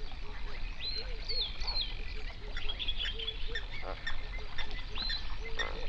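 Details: Hundreds of flamingos on a lake in a national park in the Overberg region, South Africa, recorded binaurally around sunrise; short nasal honks repeat in a busy chorus, with thin high whistles from other birds above.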